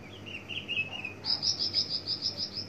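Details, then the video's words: Javan bush lark of the parva form in a varied song burst, mixing in imitated notes: a wavering mid-high warble, then a rapid series of bright high pulsed notes repeated about eight times a second. "Tembakan variasi branjangan parva"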